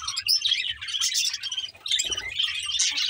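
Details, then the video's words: Budgies recorded 24 May 2024 chattering together: dense, scratchy high warbles and quick chirps overlapping almost without pause, with a brief dip in the middle before the busy twittering resumes. "Lovely budgies sound and chirping"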